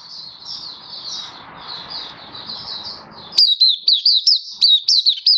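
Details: Oriental white-eye in 'buka' song display, 24 February 2023: soft, muffled high chirping over background hiss at first, then a sudden clear run of loud, sharp, swooping notes repeated about twice per second.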